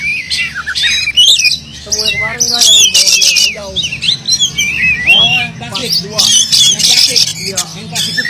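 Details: Oriental magpie-robin singing insistently with a rich mix of fill-in phrases, played to coax silent magpie-robins to sing; bright looping whistles, harsh scratchy outbursts and some lower, nasal chattering notes run continuously in uneven bursts.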